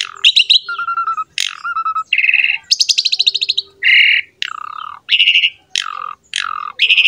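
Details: Champion Asian pied starling in full song, used to provoke other birds: buzzy harsh phrases alternate with low flat whistles and a rapid stuttering series of notes, with loud rasping calls repeated about every half second.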